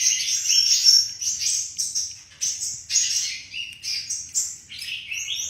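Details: Flycatcher's sweet, lively song broken into short bursts of high twittering and slurred whistles, each phrase starting loudly then fading, about every half second to second.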